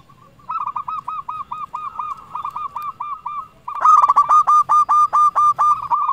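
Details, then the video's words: Zebra dove of the local type, recorded as a lure to make rivals answer. A steady run of hooked, evenly repeated coos that grows much louder and fuller partway through. "Perkutut Lokal Gacor Raja Pikat Paling Ampuh Ahlinya Bikin Lawan Gacor Nyaut"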